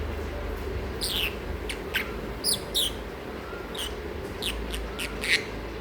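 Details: Masked lovebird, sleepy and noisy, uttering scattered thin high chirps and brief squeaks spaced irregularly about a second apart against a constant low background hum.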